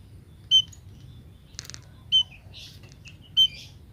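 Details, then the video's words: Calling munia hen, the sound said to make males come: three loud short high whistles at about one-and-a-half-second intervals, separated by quieter twittering and a brief rustle. "emprit pejantan langsung datang setelah tahu suara emprit betina ini"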